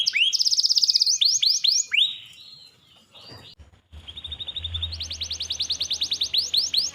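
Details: Canary singing to encourage other canaries; quick high trill and rising whistles, a short quiet gap with faint noise, then a long rising series of rapid chirps.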